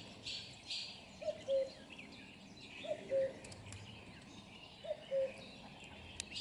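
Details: Common cuckoo recorded close up, giving three clear two-note cu-coo calls, the second note lower, spaced about every one and a half to two seconds over a faint background of distant small birds.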